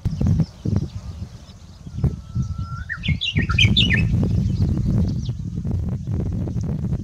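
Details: Japanese bush warbler, apparently still practising its song: a long, level whistle followed by a jumbled run of quick rising and falling notes, set against a steady low rumble of noise.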